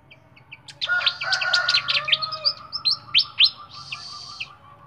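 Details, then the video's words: Flycatcher kept in a cage sings a lively mix of sharp high chirps and downward-slurred whistles, ending with a harsh buzzy trill, over a low steady hum. "BURUNG SIKATAN SUARA JERNIH"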